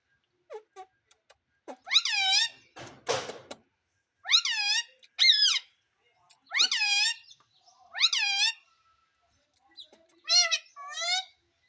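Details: Talking Indian ringneck parrot repeating "Mummy": a series of loud, harsh, wavering harmonic phrases, often in pairs, about every two seconds, with a brief burst of broadband rustling noise early on.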